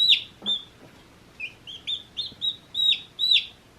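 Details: Baby chickens a day old chirp in an uneven series of piercing peeps, some lower and flatter, others sharp and downward-sliding, spaced roughly every third of a second.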